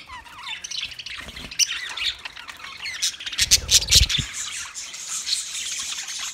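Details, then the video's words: Budgerigars, Australian parrots, recorded 13 March 2024: a dense flock chatter of squawks and rapid warbling chirps, with a louder burst of harsh notes near the middle. "Beautiful Australian Parrot sounds Budgie Sound"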